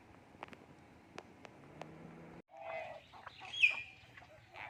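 A common hill myna mimics human speech: after a couple of seconds of faint clicks, a burst of throaty, voice-like syllables breaks into a sharp whistled note.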